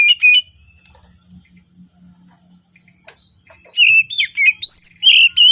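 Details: Oriental magpie-robin singing in the morning, a lure for birds that sing little: a brief whistle at the start, then a quiet stretch with a faint low hum, and finally a lively run of loud, sliding whistled notes.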